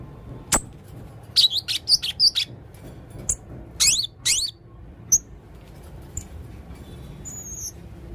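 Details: High thin chirps and twittering notes from a male blue-crowned hanging parrot in lively full 'isian' song, clustered in short bursts with gaps and a few soft whistled notes near the end.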